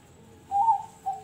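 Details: Contest zebra dove, praised for its quality in regional and national competitions: a brief clear whistled coo with a slight wavering rise, then one shorter note, quiet background.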